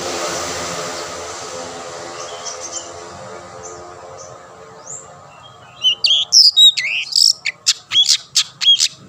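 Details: Singing long-tailed shrike, a bird used to stir other shrikes to sing: about six seconds of background noise, then a rapid run of short, sharp, high whistled and clicking notes.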